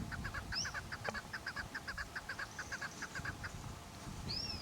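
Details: Chukar partridge calling: rapid rhythmic series of clipped, clucking notes, about two and a half per second, with a couple of thin rising-falling whistles from another bird and steady background noise.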